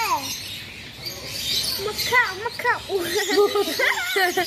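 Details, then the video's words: A blue-and-yellow macaw talks: a falling opening sound, a quiet stretch, then a run of rapid warbling, looping syllables growing louder toward the end. "Yellow-blue Macaw Parrot beautiful talking"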